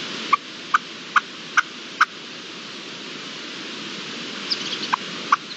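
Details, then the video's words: Red-legged partridge in the wild, March 2022, shortly before flying off: five evenly spaced sharp chuck notes, then a rise in rushing noise with a few fainter notes. "Reclamo de perdiz roja en libertad"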